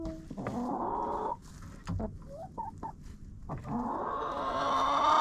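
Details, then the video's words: Chickens inside a coop, recorded with a GoPro: soft mid-pitched clucks and a drawn-out harsh squawk at the start and again near the end, with rustling and scratching between. "Hanging out with Chickens in a Coop"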